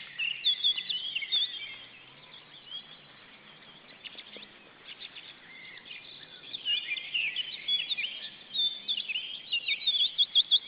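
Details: Restless female osprey calling: bursts of sharp, high, repeated whistled chirps at the start and again toward the end, with a quieter stretch of faint chatter between, over steady background hiss.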